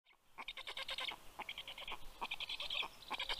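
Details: Black stork nest in Karula National Park, southern Estonia, recorded by nest camera at 8:09 pm on 11 June 2023 as the male brings fish to the chicks; rapid, rasping, broadband calls in quick repeated bursts, pausing briefly.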